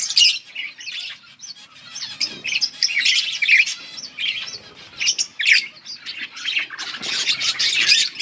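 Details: Yellow budgerigars chirping steadily, short bright tweets and scratchy warbled phrases in quick uneven bursts, several birds overlapping at high pitch.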